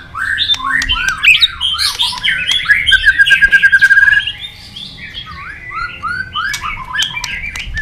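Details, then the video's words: White-rumped shama in contest singing, kept caged: varied whistled phrases, then a fast, even trill of about a dozen pulsed notes, followed by softer, lower curling whistles. "chòe lửa đập đuôi nhấp cầu hót đấu giọng rừng dài"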